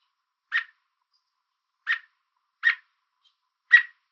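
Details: American robin perched on a fence in Southern Ontario, Canada, chirping to warn an intruder away. Gives four short, sharp, clipped chirps at irregular intervals of about one second, in an otherwise quiet background.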